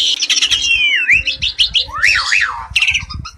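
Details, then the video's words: Rich singing from a pair of Asian pied starlings: harsh scratchy chatter opening into a long falling-rising whistle, quick clicks, then a bold zigzag whistled phrase and more scratchy chirps, with soft low thumps underneath. "Burung "JALAK SUREN" Super Gacor 1 Pasang Mantap !!!"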